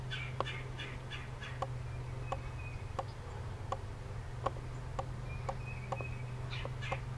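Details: Red-bellied woodpecker (Melanerpes carolinus) giving short, sharp, slightly harsh call notes, repeated about every half second, with a few clustered bursts, over a steady low hum.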